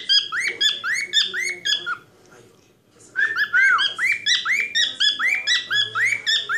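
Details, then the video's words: Pet male cockatiel singing one of its typical cockatiel songs indoors, making noises as it is spoken to: rapid series of bright up-slurred chirps, roughly two per second, a short pause, then the chirping series resumes. "Capitão Rodrigo (calopsita) cantando e fazendo barulhos"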